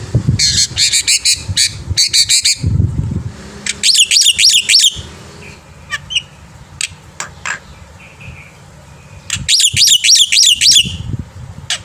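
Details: Black-winged myna singing in the morning, used as a tutor for young birds: bursts of harsh, chattering high notes in rapid repeated series, alternating with low thumping noises and brief scattered chirps.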